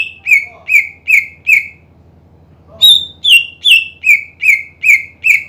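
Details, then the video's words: Greater green leafbird singing to provoke sluggish rivals, with four clear downward-slurred whistles, a pause of about a second, then a higher series of eight whistles falling gradually in pitch at a brisk even rhythm. "PANCINGAN CUCAK IJO GACOR MEMANCING EMOSI LAWAN AGAR RAJIN BUNYI"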